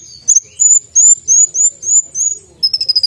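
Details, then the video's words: Konin, the brown-throated sunbird, in sharp-voiced gacor song, full isian with tembakan bursts: a string of high, thin, slightly rising whistled slurs about three per second, ending in a fast stuttering burst of sharp chips. "konin gacor full isian tembakan suara tajam"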